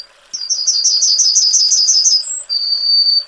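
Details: Singing yellowhammer (Emberiza citrinella): a quick series of about ten bright, repeated high chips, a short higher note, then a long even drawn-out closing note.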